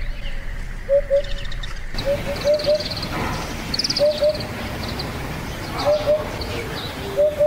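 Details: A vagrant Eurasian Hoopoe in the Yatsugatake foothills, Japan, gives low, mellow hooting notes in short pairs and triplets, spaced a second or more apart, over a noisy outdoor background with brief faint high chirps.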